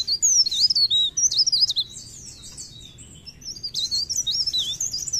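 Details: Mountain leaf warbler (Blerengan, Cikrak daun) singing vigorously: a bright, falling whistle opens rapid shrill warbling, a brief quieter gap, then another run of thin, jumpy high notes.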